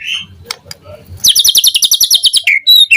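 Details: Morning song of a white-rumped shama, played as a lure to prompt a response: a soft low opening, then a fast, loud, evenly repeated series of high sharp notes ending in a descending whistle and an upslurred note.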